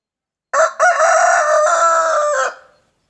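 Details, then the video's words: Rooster crowing in the morning: one loud harsh cock-a-doodle-doo lasting about two seconds, a short opening note then a long sustained rich-toned phrase fading at the end, on a quiet background. "Rooster crowing in the morning!"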